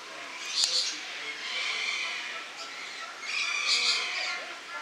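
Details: Lorikeets filmed in August 2015 give shrill squawking calls and high buzzy chatter, with a loud burst early on and another just before four seconds amid steady overlapping bird noise.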